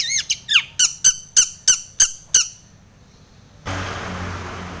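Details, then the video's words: Long-tailed shrike singing in a full, energetic style used to provoke rival shrikes: eight loud, sharp, downward-sweeping notes delivered quickly and evenly, then a burst of rushing noise. "SUARA cendet gacor full isian TOMICENG pancingan cendet agar bunyi"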